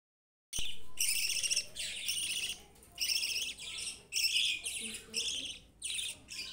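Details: Young pet budgerigars kept together with rabbits give harsh, buzzy chirps in a run of roughly six bursts, each about half a second long, with short gaps between them.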